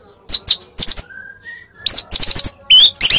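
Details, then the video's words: Short stretch of Medan white-rumped shama song meant to draw replies from other shamas: sharp high notes, a soft drawn-out low whistle that steps upward, then dense bright phrases with rising slurs. "Pancingan Tarung Murai Medan Gacor AMPUH Buat Murai Apapun Seketika Langsung Nyaut"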